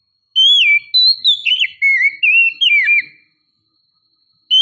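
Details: Female Oriental magpie-robin luring a male: a run of clear whistled notes, some slurred, some dipping, in a quick series of about seven short phrases over three seconds. Silence follows, then one final note starts.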